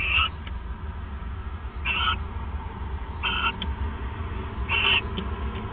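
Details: Owls at a nest at 1:26 AM, December 29, 2014, while bonding; four short scratchy bursts spaced about one and a half seconds apart, each followed by a faint tick, with a low hum throughout.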